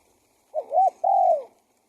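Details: Spotted dove call used as a decoy to lure wild doves: a two-part low cooing phrase, a short rising coo followed by a longer level, falling coo.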